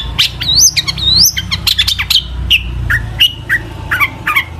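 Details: Caged long-tailed shrike singing a varied, mimicking song meant to provoke other shrikes into singing: rising whistled slurs, rapid sharp chips and harsh notes in quick bursts, with a low steady hum beneath.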